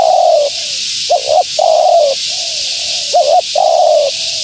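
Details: A female spotted dove gives her call used to attract wild doves, a long falling coo, two short looped notes, another long coo, and a quieter trailing coo, with steady hiss.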